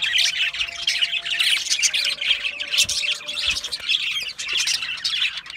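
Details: Continuous squawky warbling from budgerigars, harsh scratchy chirps packed closely together with barely a pause, a faint low humming tone underneath.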